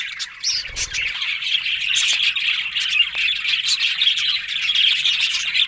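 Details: Budgerigars on October 1 give a loud, steady chorus of chirping and warbled chatter, with a few sharp clicks and quick squawks mixed into the continuous flow.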